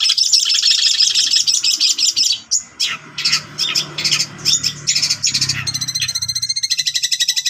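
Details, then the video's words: Cililin-filled song of a long-tailed shrike, played to teach other kept shrikes: a loud continuous chattering warble, then separate scratchy bursts and finally a fast, even trill of clipped notes, over a low steady hum. "Awalnya Cendet Bisu Setelah Dengar Suara Ini Langsung Gacor Ngamuk"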